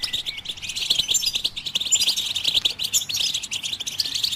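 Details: Fast, bright goldfinch twittering, meant to encourage other birds to sing, forms a steady high chatter of short tinkling notes packed closely together, broken by quick clicks.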